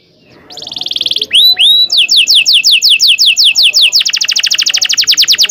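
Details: Long rolling canary song used as a tutor for young canaries learning to sing: a sustained buzzy trill, two upward-swept whistles, then rapid repeated downslurred notes and a dense fast roll. The tempo quickens toward the end.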